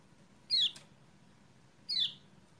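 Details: Two thin, sharp descending chirps about a second and a half apart from a kecial kuning, played as a lure to wake a bird that will not sing, above a noisy low hum.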